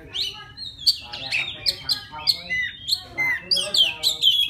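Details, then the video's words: Wild white-rumped shama singing to call a female: a rich run of clear whistles and slurred notes, some rising and some falling, with sharp high chips between phrases, delivered in quick bursts about twice a second. "Tiếng choè than rừng hót gọi mái"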